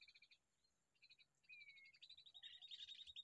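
Bulbul chick giving rapid, high, buzzy chirps in stuttering bursts, with a slurred whistle partway through; no other clear sounds.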